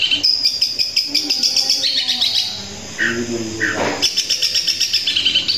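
Long-tailed shrike pouring out a fast, chattering song of rapid high buzzy trills and scratchy notes, broken by a few lower, harsher phrases.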